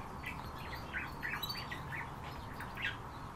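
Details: European bee-eaters (Merops apiaster) give short, rolling, liquid 'prrip' calls, repeated several times a second by more than one bird, over a steady background rush.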